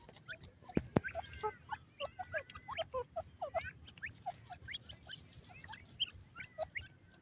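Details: Indian grey francolin: a busy run of short, sharp chirped notes and quick upward-curving whistles, several overlapping in rapid bursts, with a sharp click near the start over a steady low background hum.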